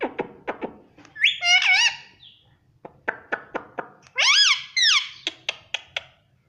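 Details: A pet ringneck parakeet talks while asking for roti, mixing quick clicking taps with two longer, bending, tonal phrases that rise and fall in pitch, the taps continuing between and after them.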